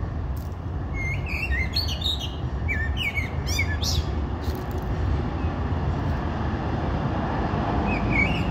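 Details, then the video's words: Common blackbird singing a series of warbled, whistled notes with high scratchy twitters for several seconds, then a short soft whistle near the end, against constant low-pitched noise. "The song of the blackbird"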